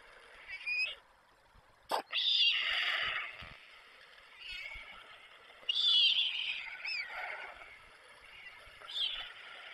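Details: Young white storks still watched by their parents at a nest in Przygodzice, 24 July 2021: a sharp click, then long hoarse, hissing wheezes in swelling bouts about every four seconds.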